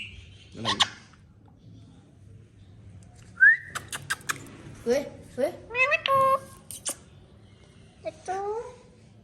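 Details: Hand-tame pet talking parrot. After a quiet start, a rising whistle is followed by clicks and a run of harmonic, word-like squawked phrases with falling and rising contours.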